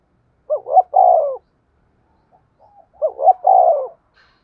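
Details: Lure spotted dove used in lime-stick trapping gives two coo phrases two and a half seconds apart, each a quick rising double note followed by a long falling coo, faint soft notes between.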